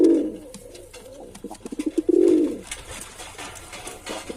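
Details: A male pigeon opens with a low coo, follows with a quickening series of pulses that swell into another long rolling coo, then quiet room noise.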